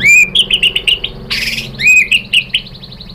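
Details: White-rumped shama female calling the male to provoke singing: loud, clear whistled upslurs followed by quick chirping notes, a burst of harsh broadband noise midway, then the whistle-and-chirp pattern repeats.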